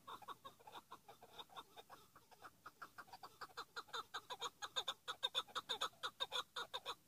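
Chukar partridge giving a rapid, rhythmic series of harsh clucking chuk notes, about two per second, growing louder and more insistent toward the end.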